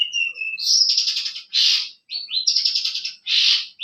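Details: Masteran bird song meant to draw answering calls: a thin sustained whistle leads into dense buzzy trills, then harsh rasping bursts, repeated roughly once a second in a fast, energetic sequence.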